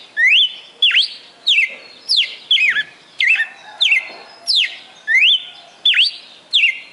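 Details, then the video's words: Caged red-cowled cardinal from Fortaleza, Ceará, Brazil, kept four months, its song said to run past twenty perfect notes: eleven ringing whistles, each a quick rise then a sharp fall, delivered in a steady rhythm roughly every 0.6 seconds. "Galo de Campina "o canto perfeito""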